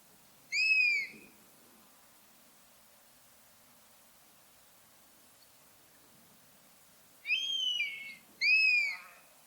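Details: A buzzard in natural habitat utters a clear, slightly arched, downward-sliding mew, then after a long quiet pause two more in quick succession, against a quiet background.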